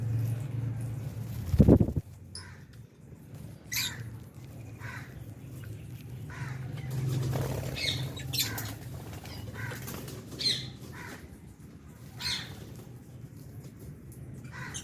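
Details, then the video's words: Lovebirds, albino and Fisher's, feeding in an aviary with budgies; short, scratchy squawks repeat irregularly throughout, with a loud thump near the start and a constant low hum beneath. "Lovebirds Chirping Sounds"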